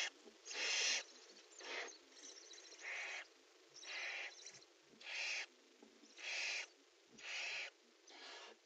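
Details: Pair of barn owls in a nest box during prey delivery and mating, giving a series of eight harsh, hissing screeches, each about half a second long and repeated every second or so with irregular spacing.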